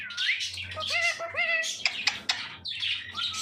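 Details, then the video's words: Pet parrot talking: a squeaky rising note, then several nasal, speech-like syllables with gliding tones, broken by sharp clicks and scratchy bursts, ending in raspy chatter. "Parrot Talk Everything"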